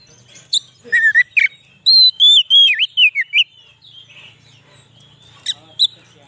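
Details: White-rumped shama song used as a lure for wild shamas: sharp chips, then a flowing sequence of loud slurred whistles with dips and rises, ending in scattered high notes and faint hum.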